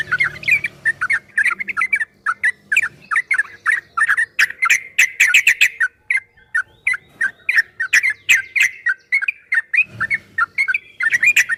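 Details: Yellow-vented bulbul delivering extended ropel-style song for a caged-bird training track, sharp chattering phrases repeating rapidly over nearly twelve seconds with a brief low thud near ten seconds.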